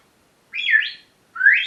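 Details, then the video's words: Pet parrot vocalizing in the morning: two separate whistled, wavering calls, the first sliding up and down, the second rising steeply, with a short silence between. "My parrots morning talking session"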